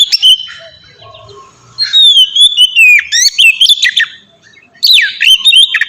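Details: Ngeplong song of a white-rumped shama, used as a training lure for captive birds: soft opening notes, a long descending clear whistle with fast trills, pause, then swooping whistled phrases.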